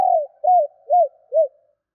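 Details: Female spotted dove used as a decoy, calling to lure wild males. Four low, soft, arched coos in under two seconds; the first is longer and slurs downward. No other sounds.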